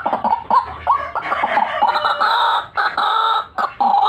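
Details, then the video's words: A lure recording of a white-breasted waterhen: a few short croaks open into long, harsh, nasal, drawn-out notes, separated by brief pauses, with a clipped croak at the end. "RUAK RUAK GACORAN"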